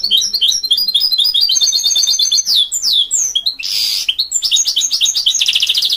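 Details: Goldfinch mule singing high repeated chips and downslurred whistles, broken by a harsh buzzy burst, then ending in a fast, ringing trill.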